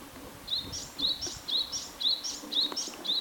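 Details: Close, clear song of a Japanese tit: rhythmic two-note phrases repeated about twice per second, each a bright upslurred whistle paired with a higher thin note, six phrases in quick succession over a quiet background.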